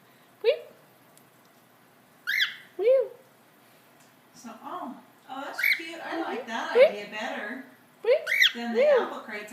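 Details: Cockatiel (Nymphicus hollandicus), a female, calls with sharp, rising chirps and squawky notes in bursts while excitedly looking out a window during a spring snowstorm in Colorado; a person talks over her.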